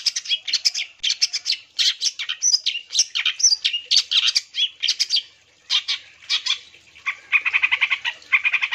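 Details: Singing long-tailed shrike, played to goad other shrikes into song: fast grating chatter of high notes, a short silence, then lower, buzzier repeated rasping notes toward the end.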